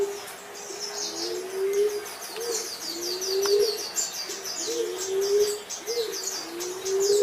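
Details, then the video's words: Green pigeon repeating low, fluty whistles that rise toward the end, four main notes with short lead-in notes, under a steady chatter of high chirping birds. "Kampodu Moro, Burung punai"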